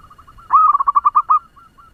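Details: Lure zebra dove, a local bird with a fast song meant to excite other doves. Soft lead-in notes swell into a quick, loud string of about ten rolling coos, then fade to faint notes.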